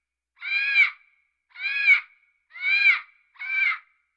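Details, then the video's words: An African grey parrot gives four harsh, raspy squawks, each about half a second long and roughly a second apart, with nothing else audible. "parrot sounds |parrot african"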